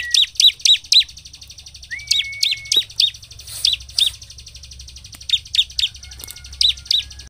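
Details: Bar-winged prinia (ciblek) singing as a lure to stir other prinias into song: groups of three or four sharp, high notes spaced apart, with a thin rising whistle sliding in between.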